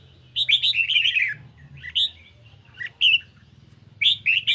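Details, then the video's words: Caged red-whiskered bulbul on a lightly sunny day, singing a duel against a phone recording: bursts of bright, warbled, slurred notes in short phrases separated by pauses, over a low steady hum. "Chim Chào Mào Của A Tủa Hót Đấu Với Điện Thoại Cực Xung"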